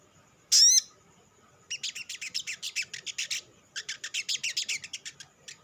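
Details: An olive-backed sunbird's lure song for stimulating other sunbirds: one loud, thin, sweeping whistle, then two long strings of rapid, high, buzzy chips, roughly eight per second.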